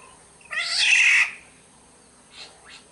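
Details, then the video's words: A Sumbawa black-naped oriole gives one long, hoarse, cat-like mewing call, followed by two faint short, softer notes in the background a second later. "suara burung kepodang SUMBAWA"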